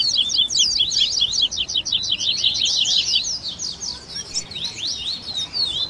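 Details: Tui tui baderna of Double-collared seedeaters with grego, viviti, flauteado and 3ª nota variations, played for training captive birds. Opens with a rapid string of sharp repeated notes, easing into looser wavering whistled phrases.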